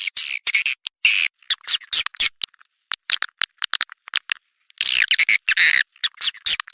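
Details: Edible-nest swiftlet call for attracting swiftlets: clipped, high, rattling chirps in uneven bursts with short silences, then a denser twittering run near the end.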